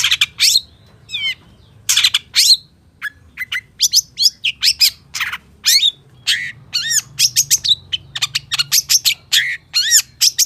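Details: Long-tailed shrike, 'gacor full isian': a long varied medley of sharp chirps, squawky notes and slurred whistles, some rising and some falling, closely packed over ten seconds with only brief pauses.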